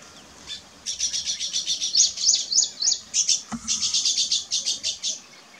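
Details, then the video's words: Weaver bird at work on its nest, giving a continuous high, sizzling chatter of quick repeated notes with a few short rising whistles in the middle, and a brief knock partway through. "Weaver Bird Building Nest"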